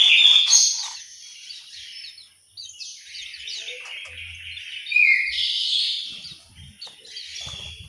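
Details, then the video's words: Orange-headed thrush in an aviary in Malang, East Java, singing a busy run of high, chattering, mixed notes with loud peaks at the start and middle. Scratchy sounds overlap, and a faint low hum is heard. "suara burung anis merah"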